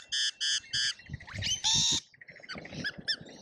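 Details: Lorikeets in a feeding frenzy at an Australian feeder: three evenly spaced, buzzy, tonal screeches, then one longer harsh shriek and quieter chirps, with low thumps underneath.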